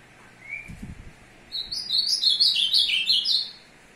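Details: Azulão (Ultramarine Grosbeak), a caged male courting a female; a warbled phrase of rapid descending and rising slurred notes lasting about two seconds, preceded by a brief faint whistle and low thumps.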